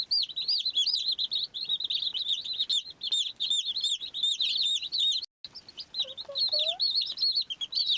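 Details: Many young chicks at play give a dense, continuous chorus of shrill, looping peeps, broken by a brief gap, with a few lower notes toward the end.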